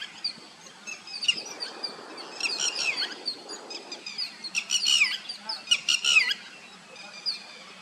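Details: White-browed wagtail feeding in a village wetland; several sharp, high chirps and short buzzy notes in bursts, with faint background hum and soft rustling noise.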